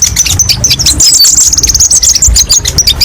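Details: Kolibri ninja sunbird song played as a training recording, a rapid high twittering of sharp chirps and trills with varied phrases, some low rumbling underneath.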